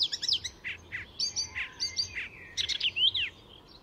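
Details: Mimicking Icterine warbler at Fysingen near Stockholm, Sweden: a lively sequence of separate chirps, short squeaky notes and buzzy phrases, each a fraction of a second apart, ending in a rising slurred flourish.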